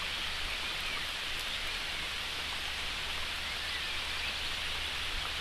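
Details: Steady hiss of rain falling on surfaces, even and unbroken, with a faint low hum underneath and no animal calls.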